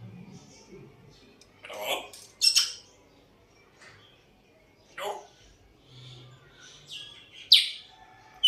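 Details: An African grey parrot, always whistling and trying to talk, makes scattered bright whistles and short squeaky notes with pauses between them, plus one low hum near the middle.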